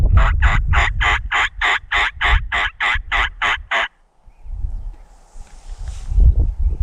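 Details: Wild turkey tom gobbling near hens at dawn on public land in Montana, with a jake and a big tom present: a rapid rattling run of about a dozen evenly spaced pulses over four seconds, then low rumbling handling noise.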